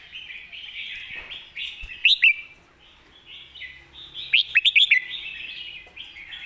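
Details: Red-whiskered bulbul's master song: over a constant bed of warbling birds, one short bright phrase of two notes, then a longer rapid phrase of about six lively whistled notes.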